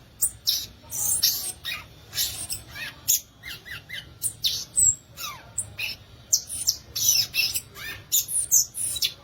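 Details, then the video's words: Long, continuous run of high, crisp chips, buzzy squeaks and quick downslurred notes from a violaceous euphonia (guriatã), packed closely with few gaps. "Belíssimo Canto do Gaturamo Verdadeiro, ou Guriatã"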